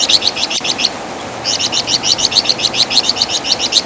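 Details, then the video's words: Flamboyan bird, known in West Java as wergan jawa, noted for a loud song and distinctive chattering, used as a master song for training songbirds; rapid bursts of sharp, high chirped notes in quick trains, a brief pause, then a longer run. "Masteran Suara Burung Flamboyan | Wergan Jawa"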